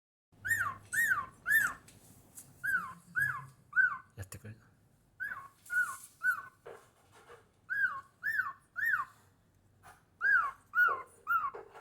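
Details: A cockatiel singing at home whistles clear, rising-and-falling notes in quick sets of three, repeated through the phrase.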